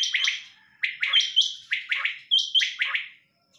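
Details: Calling female quail: rapid bursts of high, slightly buzzy chirps in groups of two or three, some with a thin sustained whistle on top, in a quiet setting.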